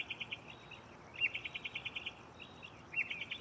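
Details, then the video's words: Mockingbird singing from a tree at night, close by: rapid trains of short chirps repeated in bursts, with brief sliding whistles between phrases, over a faint steady background hiss. "Shuffling bird chirping live on location"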